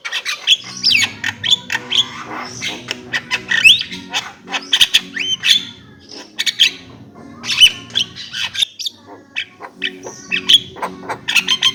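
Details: Javan myna in steady, varied song: clusters of scratchy, buzzy notes, squeaks and brief upslurred whistles, delivered in bursts every second or so, with a low background hum throughout.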